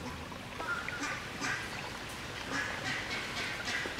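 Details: Demoiselle cranes in a creekside aviary, foraging and feeding chicks: harsh, rasping calls with rich overtones, repeated about every second, over a steady background of trickling creek water.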